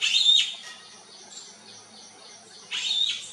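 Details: Bee-eaters calling for their flock: two harsh, vibrating calls, one at the start and one near the end, with a quiet gap and soft calls between.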